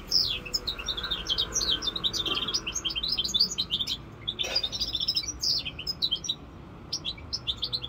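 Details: A five-month-old goldfinch mule, a European goldfinch hybrid of the Corsica rosse line, sings a fast, continuous run of high chirping twitters and short trills with brief pauses; a faint low hum sits underneath.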